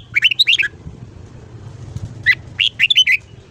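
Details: Red-whiskered bulbul morning song in the ché style, used for voice training: two tight bursts of fast, rolling whistled notes separated by a pause, over faint low hum.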